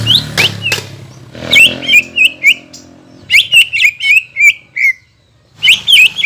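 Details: Greater green leafbird singing as a lure for birds after moult: sharp whistled notes in a run of about a dozen, preceded by a low, harsh background noise, and a brief silence before a final burst.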